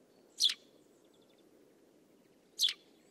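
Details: Eurasian tree sparrow (Passer montanus), song.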